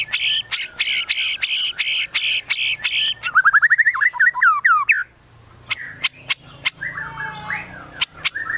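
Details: White-rumped shama from Medan in full energetic song, filled with mimicked phrases of chestnut-capped thrush, cililin and bearded bulbul: a rapid series of harsh buzzy bursts, then quick rising chirps and sharp clicks.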